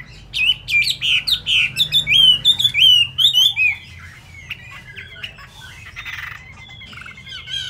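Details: Chinese hwamei, a caged bird singing with freshly wet plumage: rapid, loud whistled phrases with sliding notes and quick trills for about four seconds, then softer scattered notes and a faint steady tone over low room hum.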